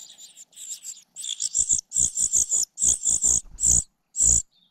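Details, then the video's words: Cuckoo chick raised by a foster mother, frustrated at missing food; sizzling high-pitched begging calls, soft at first, then loud clipped notes in quick groups of three or four, ending with a single long burst. "Cuckoo bird can't grab food, attacking mother bird寄生的杜鹃鸟屡次抢不到食物，气急败坏，对着养母一顿啄"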